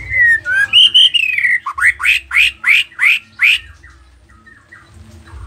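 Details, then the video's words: Nias noktah white-rumped shama singing a varied, busy song used to bait rival shamas into replying. Smooth falling whistles open, followed by about seven loud, evenly spaced upward-sweeping notes, then a quiet pause. "Murai batu nias noktah gacor isian dengarkan suara ini 30 detik murai batu lain akan nyaut seketika"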